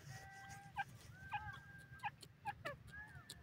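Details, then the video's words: A francolin, called dakhni or green teetar, gives clear whistled notes broken by sharp, accented notes about every half second, over a low background hum. "lucky dakhni teetar ke awaz,green teetar voice,teetar sound beautiful"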